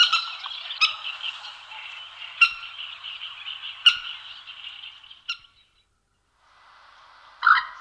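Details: Common moorhen in La Moraña, Ávila, Castilla y León, Spain, 2009: sharp, explosive croaking notes about every one and a half seconds over a steady harsh chatter, then a brief pause and one last burst.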